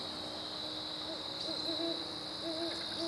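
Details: Duet of great horned owls on September 15, 2012: a run of low, rounded hoots, some in quick pairs, spread across the clip against a constant shrill chorus of night insects.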